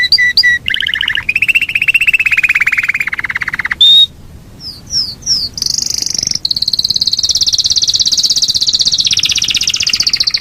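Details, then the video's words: Yorkshire canary in a long rolling song: short high notes, then a buzzy lower trill, a brief gap, a few slurred notes, and a long fast high rolling trill held for several seconds. "SUARA BURUNG KENARI YOKSHIRE NGEROL PANJANG"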